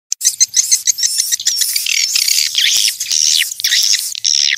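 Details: Swiftlets calling, described as a natural, clean recording used to attract swiftlets: dense overlapping high chirps and buzzy twitters, some rising or sweeping, with a steady faint high whine behind them.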